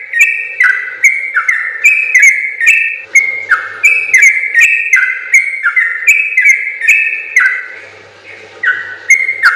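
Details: Energetic yellow-vented bulbul song in long 'ropel' style for training other birds: continuous chain of clear whistled notes, each pair stepping down in pitch, delivered over two per second with sharp high ticks.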